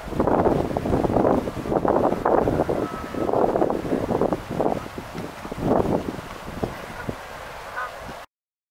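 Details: Canada geese looking for a pond at Fenton Fields, Stoke-on-Trent, on 3 August 2023. The flock honks in overlapping bursts about once a second, loud then fading, with wind rumble underneath.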